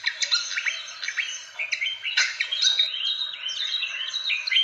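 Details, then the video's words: Fantail lure recording from Indonesia, played to attract birds: dense, overlapping high chirps and short rising whistled sweeps tumbling rapidly over about five seconds, with no other sounds. "SUARA PIKAT BURUNG KIPASAN SIKATAN"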